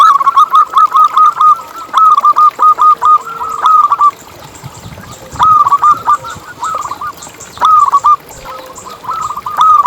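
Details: Local zebra dove whose song is used to encourage other zebra doves to sing: loud, clear trains of rapid, bouncing coos, separated by short pauses, repeating several times.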